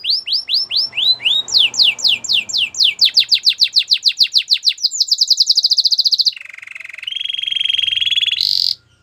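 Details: Canary singing for training: rising whistles, then an accelerating series of falling sweeps merging into a rapid trill, followed by lower and higher sustained rolls.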